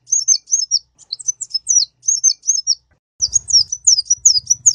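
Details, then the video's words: High-pitched song of a kolibri ninja sunbird, recorded for teaching caged birds: paired, thin, warbled phrases with gaps, then a faster run of sharp chirps joined by a low background drone. "suara burung kolibri ninja gacor paling pas buat masteran"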